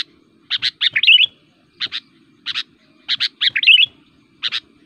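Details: Combative kutilang calling to provoke other birds, described as fitting for forest luring and tutoring: clusters of sharp, strident double chirps, two of them running into short rippling warbles, separated by brief pauses over a faint hum.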